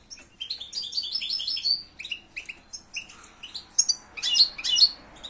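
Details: European goldfinch, linked to Spanish silvestrismo, in a fast tinkling twitter of high chirps and short trills that come in quick bursts, with brief buzzy notes and a faint low hum beneath.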